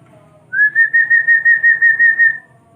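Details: Common hill myna, a talking bird, whistling a sustained, evenly pulsed note of about ten beats on a nearly level pitch, with people speaking and laughing around it.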